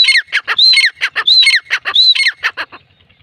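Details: Grey francolin, described as female, calling in a fast run of harsh, squawky notes mixed with clear whistled rising-and-falling phrases, about four bursts per second for nearly three seconds before fading out; no other sounds.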